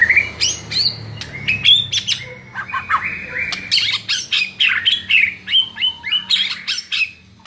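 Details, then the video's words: White-rumped shama master song for training birds to sing, a rich varied run of loud whistled and chattering phrases, high notes sliding and rising, bursts following in quick succession for the whole stretch. "SEKALI DENGAR Murai LANGSUNG NARUNG dengan MASTERAN satu ini"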